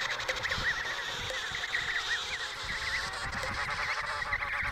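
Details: Chorus of emperor penguins at the Riiser Larsen colony in Antarctica, November 2010: dense overlapping trumpeting warbles with quick pitch wobbles, steady wind noise beneath.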